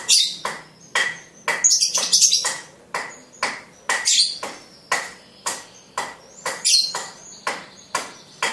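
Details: Young lovebird, blue colour form, four months five days old, at the mastering stage, giving ngekek chatter: a steady series of sharp, harsh bursts repeated about twice a second, some with shrill squeaky peaks.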